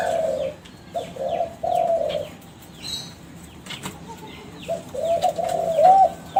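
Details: Kelantan spotted dove of champion contest breeding, a young captive bird whose song acts as a lure for other doves: low coo phrases, a pause filled with faint chirps of small birds, then more coos ending in a looped hoot.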